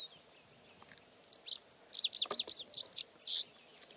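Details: Rock bunting perched on gum rockrose in a barren, rocky landscape, singing. A quick, jumbled phrase of a dozen or so high, chirpy notes runs for about two seconds, clear over near silence.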